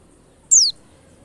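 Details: A single short, high, thin whistle from a white-eye, sweeping sharply downward, taken from a lure recording used to prompt white-eyes to start singing fast. Quiet low hum underneath.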